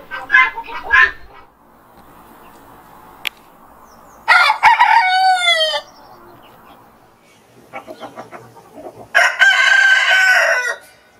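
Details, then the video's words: Rooster greeting the morning ahead of sunrise, a warning to rival roosters. Two crows come about five seconds apart, each loud and rasping with a rising then falling sweep, over quieter background clucking. "Rooster Crows - For Wake You Up"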